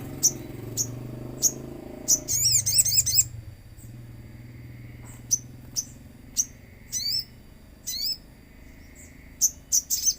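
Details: Common iora lure recording with natural sounds: scattered thin high ticks, a quick burst of rattled chirps, then more isolated sharp notes, over a low background hum early on.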